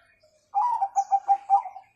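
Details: Bangkok zebra dove singing in the 'kung' style, played to train young birds: a loud, clean phrase of quick mid-pitched cooing pulses, a rolling start then four or five evenly spaced beats, in quiet surroundings.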